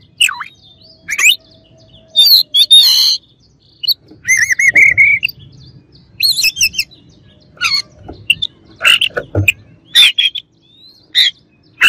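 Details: A long run of Oriental magpie-robin song aimed at agitating rivals, mixing fluty wavering whistles, rapid buzzy trills and many sharp scratchy chips.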